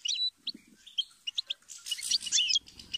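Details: Goldfinch singing a quick run of bright, high chirps and twitters, with short sharp notes and a denser burst of warbling toward the end over a faint low rumble.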